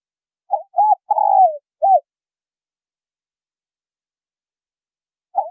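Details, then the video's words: Spotted dove pair, male and female, giving a luring call for wild doves: one four-part coo phrase with short, short, long falling, short notes, a long pause, then a single coo starting again. "Tiếng chim cu gáy trống mái thổ kích bổi"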